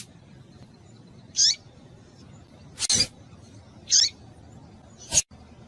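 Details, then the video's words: Calls of a female double-collared seedeater in breeding condition, used to stimulate a male: two brief, high, downward-sweeping chirps about two and a half seconds apart, with loud clicks in between. "fêmea de coleiro quente chamando para esquentar coleiro"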